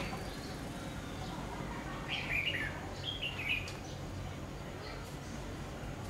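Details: Red-whiskered bulbul used as a decoy bird at a trap: two short bright warbled phrases, rising then falling, about a second apart mid-clip, over steady low rumbling background noise.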